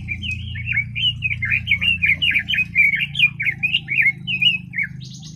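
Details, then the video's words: Red-billed leiothrix pouring out a continuous, fast-paced warble of short looping whistles, each note sharp and distinct, with a low background drone throughout. "Red-billed Leiothrix Singing Voice - Leiothrix Lutea bird"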